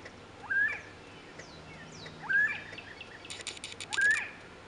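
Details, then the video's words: A lone quail singing by the side of a road gives three short, rising, slightly slurred calls, one about every two seconds, with faint ticking and a low hum behind. "Lonely Quail singing"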